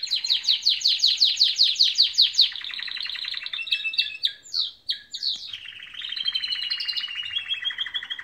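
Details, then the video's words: Canaries singing in the morning: a fast series of bright repeated trills that slide downward, then varied warbled phrases and sustained rolling trills, loud and clear against a quiet background. "Beautiful canaries singing in the morning"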